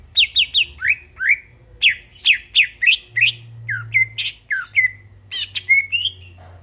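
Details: A greater green leafbird sings vigorously at night. It gives rhythmic pairs of sharp downslurred chirps, about three a second, then mixes in hooked whistles and buzzy high notes.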